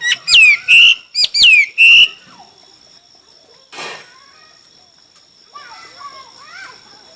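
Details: Chinese hwamei at a song contest gives two bursts of loud falling-then-level whistles with rapid stacked chirps, followed by quieter warbling notes and a brief noisy rustle.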